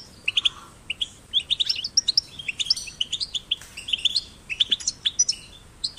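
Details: Goldfinch chicks, recorded caged and in nature to prompt singing: scattered bright chirps and short twittering runs, some buzzy notes, with uneven spacing and quieter gaps between bursts.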